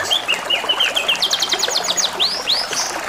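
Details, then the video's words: Canary song set against gurgling water: repeated short whistled slurs, then a fast series of sharp high clicks, followed by two loud arching whistles and a high buzzy phrase; continuous water trickle underneath. "TERAPI SUARA KENARI DAN SUARA GEMERICIK AIR | CANARY SINGING"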